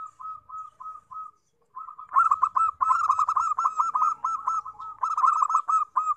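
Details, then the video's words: Zebra dove song meant to draw wild doves: a few soft, spaced introductory coos, then a dense, rapid run of purring notes repeated about 220 times per minute. "PIKAT PERKUTUT"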